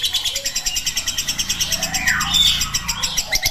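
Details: Ngekek long chatter of a lovebird used as a training track: steady bursts of shrill pulses about six per second, crossed by a descending whistled sweep midway.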